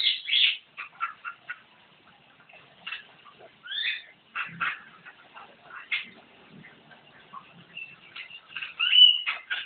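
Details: Jalak kebo, the Javan myna, chattering hard in gacor style: loud harsh notes at the start, then uneven squawks, rasps and a few thin whistles, rising to a noisy jumble at the end.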